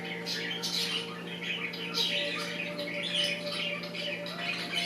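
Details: Two pet budgerigars, one yellow, chatter in a steady stream of scratchy, high warbles and squawks over a low electrical hum.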